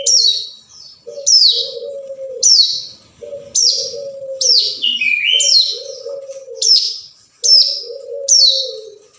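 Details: Hill prinia call used to lure a rival: high, scratchy downslurred notes repeated about once a second over a dove's low, drawn-out cooing, with some lower whistled slurs midway.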